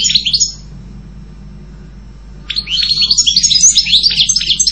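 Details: Brief twitter from a goldfinch, a quiet gap of about two seconds, then a lively run of high chirping notes.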